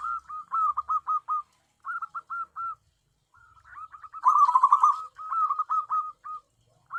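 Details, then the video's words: Tame zebra dove, a local bird used for luring wild doves; quick series of hooked coo notes in groups, a louder rolling trill in the middle, then more spaced coos. "BURUNG PERKUTUT AMPUH UNTUK PIKAT (PERKUTUT)"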